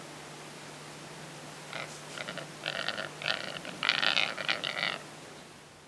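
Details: A capercaillie × black grouse hybrid (rackelhane) at Halleberg, Västergötland, Sweden, on 27 December 2008 gives harsh, rasping, broadband bursts building into a rapid clattering run over about three seconds, over a low steady hum.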